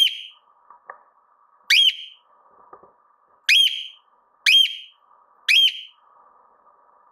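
A cockatiel gives loud, rising whistled calls about once a second with a faint background hum.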